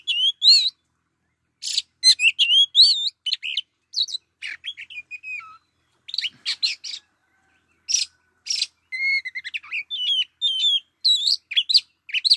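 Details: Oriental magpie-robin kept as a lure bird, singing a varied run of clear rising and falling whistles mixed with harsh buzzy bursts, delivered in quick clusters with short pauses.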